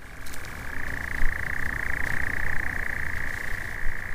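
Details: European nightjar churring at dusk, perched on trees or branches, at a cleared bracken habitat project in Staffordshire: a long, unbroken, mechanical purring trill at even mid pitch over a steady low rumble of wind.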